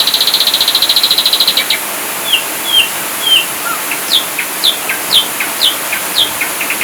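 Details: Ashy drongo masteran, 'full tembakan' delivery: it opens with a very fast, even trill of about twenty notes, then slurred whistles and a series of steep, downsweeping calls at regular intervals.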